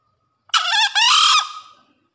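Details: After heavy rain, a green junglefowl gives one strong hoarse crow: a brief rough burst, a tiny pause, then a longer buzzy, slightly wavering note that tapers gradually. No other sounds are heard.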